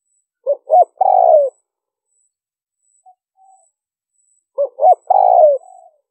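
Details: Spotted dove giving liêu ròng lure coos: two three-part phrases about four seconds apart, a short note, an arched hoot and a long falling buzzy coo, with a faint murmur between them.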